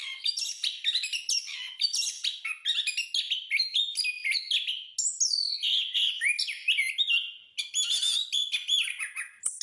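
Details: Caged orange-headed thrush training recording: long unbroken rich song of fast, varied whistles, chattering trills and sweeping slurred notes, phrases running together with hardly a pause.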